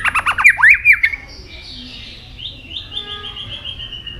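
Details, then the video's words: White-rumped shama singing varied notes while flicking its tail: loud rhythmic rising whistles at the start, then fainter drawn-out descending whistles. "chòe lửa hót nhiều giọng đảo giọng đập đuôi liên tục"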